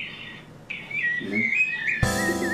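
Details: A Rufous-bellied Thrush (sabiá) in street trees of São Paulo's Brooklin district gives a brief, clear whistled phrase of wavering, slurred notes, then loud music abruptly cuts in over it.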